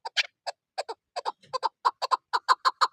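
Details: Chukar partridge kept for hunting, heard in snowy season: sparse clucking notes at first, then quickening into a tighter run of rough chuck notes, about twenty in all, gaining loudness toward the end.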